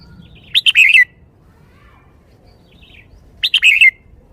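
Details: Caged red-whiskered bulbul singing two clear, rapid phrases of bubbling whistled notes in the shaking-bottle song style, each closing with a falling slur, nearly three seconds apart, against a quiet background.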